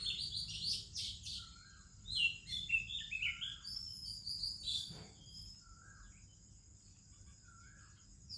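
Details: Oriental magpie-robin with other birds on an Indian morning: a cluster of quick whistled chirps early on, then sparse soft whistles and long quiet gaps with a steady high drone.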